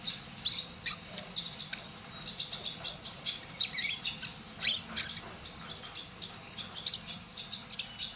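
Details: Oriental magpie-robin, a prolific singer called a prospective champion, pouring out dense, rapid high chirps and sweet whistled notes almost without pause, with a steady faint insect-like hiss underneath.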